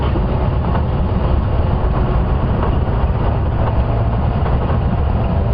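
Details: Heavy, constant engine rumble from a safari vehicle on a morning drive fills the recording, with nothing animal heard.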